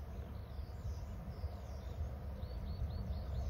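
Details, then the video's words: Two eagles calling while one soars inland. A quick run of thin, high, down-slurred chips is repeated several times in a row over a heavy rumble of wind and background noise. "Both our eagles call"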